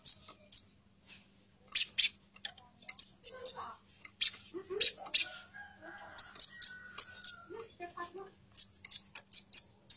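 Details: A female plain-throated sunbird calls for the male with bright, piercing chips in clusters of two to four, spaced by short silences, plus faint lower twittering in the background.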